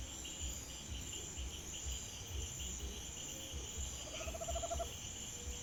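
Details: Tropical screech-owl at night near a home in Brazil, giving a brief, rapid trill of evenly spaced low notes, under a second long, over a steady high-pitched chorus of crickets and a low rumble.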